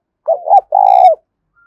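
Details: Spotted dove cooing played to stimulate and train a decoy bird and draw wild doves to fight; a short two-part coo followed by a longer, loud, rolling low note.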